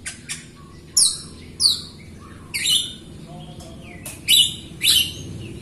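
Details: Jalak Rio myna in full voice, its song meant to prompt other Rio mynas, including quiet ones, to sing: loud, separate, downslurred whistles and squeaky notes about every half second, with pauses.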